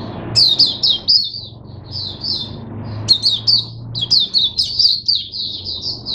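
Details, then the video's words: Caged Oriental white-eye giving 'buka sing' open song on 5 May 2022: two bursts of rapid, high, sweet twittering separated by a two-second pause, over a low background hum. "Mata Puteh Hercules V1 buka sing"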